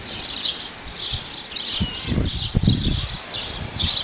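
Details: Chirps from a male house sparrow come in quick, insistent succession, roughly three per second, sharp and metallic, with soft low knocks in the background.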